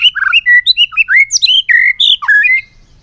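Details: White-rumped shama, a caged bird singing in many voices: a fast, loud string of varied whistled notes and slurs, some rising and some falling, delivered almost without pause for over two seconds.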